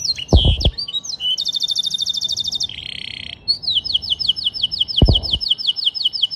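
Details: Canary with blackstrut-style song: twisting whistles, a rapid buzzy trill, then a long rolling series of repeated high notes, interrupted by a few low thuds.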